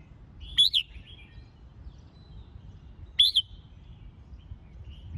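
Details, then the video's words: Red-whiskered bulbul song used to train and excite birds for singing competitions: two short, bright whistled phrases about two and a half seconds apart, each a quick rising-and-falling warble, over a faint low hum. "Tiếng Chào Mào Dìu Bổi Lên Lửa !..Luyện Chào Mào Hót Đấu"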